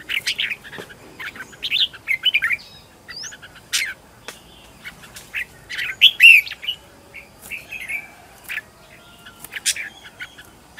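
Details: Decoy red-whiskered bulbul in fighting song for luring wild birds and training others: busy, uneven chatter of clipped chirps and short warbles, with one louder slurred whistle midway and quieter notes scattered between.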